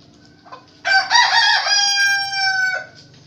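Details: Rooster, one of three roosters answering one another: a single loud harsh crow, preceded by a brief soft note, rising into a long, strongly harmonic, sustained cry of about two seconds that ends abruptly, over a low background hum.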